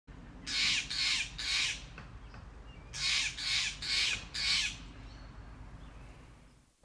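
Steller's Jay giving harsh, raspy shacks: three quick notes, a short pause, then four more, over a low steady rumble.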